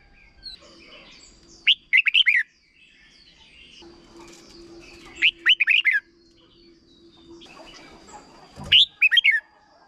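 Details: Short doubled song of a caged red-whiskered bulbul in Thailand, a teaching recording for young birds: three crisp, warbled phrases of rising and falling notes repeated roughly every three and a half seconds, with a faint steady hum and one knock.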